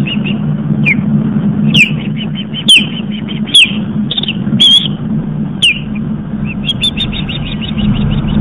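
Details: Fledged osprey back at the nest on Long Island, New York, from a live camera as people pass: series of high piping chirps with occasional sharper upslurred squeals and clicks, over a constant low rumble.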